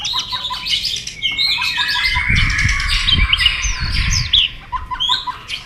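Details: White-rumped shama singing in competition, tail flicking: dense, rich chatter of whistles and trills without a break, with dull thumps in the background.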